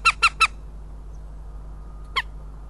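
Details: Northern goshawk (Accipiter gentilis) pair in Riga on 12 May 2016: the male gives three quick, harsh, nasal kek notes, then the female answers with a single note two seconds later, over a low steady hum.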